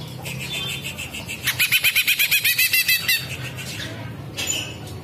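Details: Green leafbird performing a rapid 'ngetrek' delivery with 'kapas tembak' mimicry: after faint high tones, a burst of about a dozen fast, evenly pulsed chattering notes, then quieter, with a low background hum.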